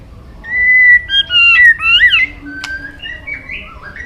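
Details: Singing white-rumped shama (murai batu) in full voice with mimicked phrases: a long level whistle, then looping and rising whistled notes, a sharp click, and softer falling slurs at the end.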